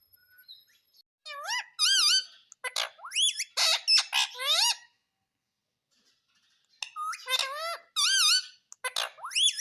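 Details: Pet parrot talking indoors, repeating "mummy" (mami): clusters of sharp, high, harmonic squeaks that swoop down and up, given in quick bursts, with a quiet gap midway before more squeaky phrases.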